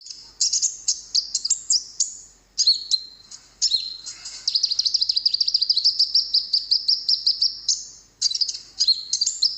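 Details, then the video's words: Konin song recording used as a lure for wild birds: thin, very high chirps and rapid trills, a long fast run of repeated notes through the middle, then sharp twittering phrases after a brief pause. "masteran burung konin di jamin langsung nyaut burung denger suaranya ini"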